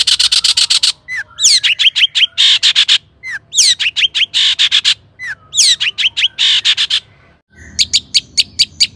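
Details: Lure recording of a loudly singing Long-tailed shrike, meant to excite other shrikes: fast rattling chatter alternating with harsh grating bursts and quick slurred notes in repeated phrases, a brief pause, then sharp chips.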